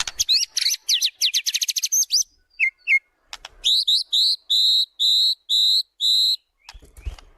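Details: White-rumped shama repertoire used to lure birds in training: fast scratchy chattering, a few low piping notes, then six long, even, flat whistled notes spaced about half a second apart.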